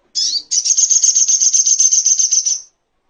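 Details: Crimson sunbird (sogok ontong) song from a master recording used for training other songbirds: a sharp, very high slurred note, then a fast, even, buzzy trill of rapidly repeated high notes lasting about two seconds, on a quiet background.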